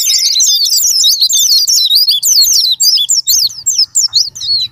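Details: Japanese white-eye (pleci) sparring-partner song, used as a lure to provoke other white-eyes into singing: a rapid, high, squeaky twitter of tumbling up-and-down notes. The first half is continuous, then it breaks into short bursts.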